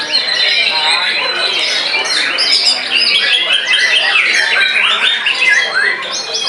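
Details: White-rumped shama in intense song after its molt, aimed at beating rival birds: a long, dense run of mixed whistles, wavering trills and rapid chattering phrases at full volume.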